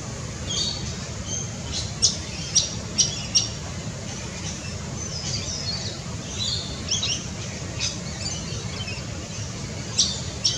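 Forest kingfisher giving short, sharp, high-pitched notes in a loose series, a few close together then spaced out, over a steady low rumble.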